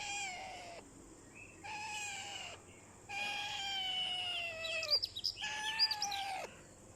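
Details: Talking ringneck parrot (rose-ringed parakeet) giving a series of long, slightly falling, nasal harmonic notes separated by short pauses, with quick high chirps mixed into the later notes.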